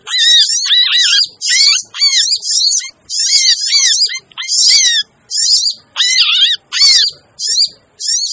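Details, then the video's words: Busy sogon lure sound made to draw in birds that are hard to attract: dense, high, jangling twitters stacked over a repeated, looping lower whistle. Short phrases follow one another about every half second, and the calling is loud and almost continuous. "suara pikat burung sogon ribut!"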